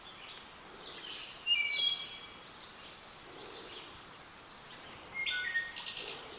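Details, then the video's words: Two short Wood Thrush song phrases along the Appalachian Trail, each a few clear fluted notes breaking into a high, shimmering trill, about four seconds apart over steady forest hiss; the species sometimes hits notes higher than humans can hear. "a Wood Thrush and they sometimes hit notes higher than humans can hear"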